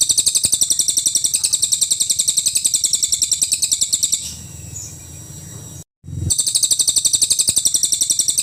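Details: Cililin in full 'nembak' song, a long tutor recording for training songbirds such as murai batu: rapid, high, shrill notes repeated about four times a second in a dense chattering stream, broken by a brief pause and dropout midway.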